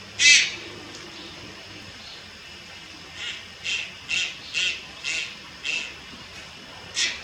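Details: Young Malayan night heron at Lugu, 30 July 2022, giving one loud scratchy squawk, then after a pause a series of seven softer rasping calls roughly every half second.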